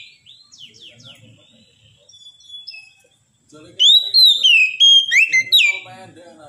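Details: Kacer, the oriental magpie-robin, singing in the 'mental ngedon' style kept for Indonesian songbird hobbyists. Soft, scratchy warbles and thin whistles lead into a loud run of rich, slurred whistled notes.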